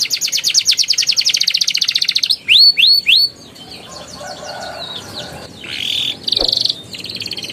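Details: Canary singing in the ngeroll and ngeriwik styles, used as therapy for canaries that stopped singing: a rapid even roll, three loud hooked whistles, a quieter gap, then short buzzy bursts.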